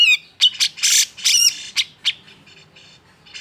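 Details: Grey-cheeked bulbul singing emotionally to provoke reluctant birds into song: a fast volley of loud, broad, raspy squawks mixed with whistled slurs, fading into softer notes.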